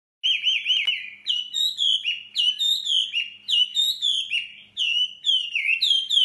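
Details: Male hwamei singing, lured by a female: loud, clear whistled phrases sliding up and down, each repeated several times in quick succession with brief pauses between runs.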